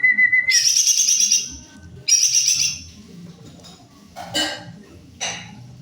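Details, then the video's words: Greater green leafbird in full song. A steady whistled note leads into a burst of rapid, glittering chatter, and a second burst follows. Two brief harsh rasping notes come after. "Jomin full cor gacorrr"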